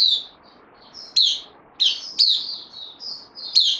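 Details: Bulbul newcomer on loan, kept bird, 12 September 2020, mixing soft thin whistles with loud, sharp descending chirps in an irregular, lively sequence over light background hiss.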